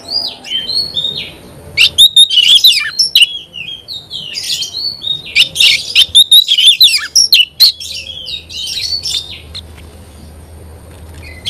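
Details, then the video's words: Oriental magpie-robin (kacer) in energetic song, a dense run of rapid whistled trills and scratchy notes in the middle, starting and ending with softer, sparser whistles over a low background hum. "Kacer gacor"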